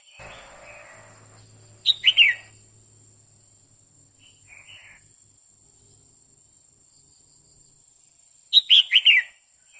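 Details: Female red-whiskered bulbul, singing on and on to excite a male, delivers two loud 'quých kiu' bursts about seven seconds apart. Each is three or four quick, bright whistles stepping down in pitch, with a faint short phrase between them.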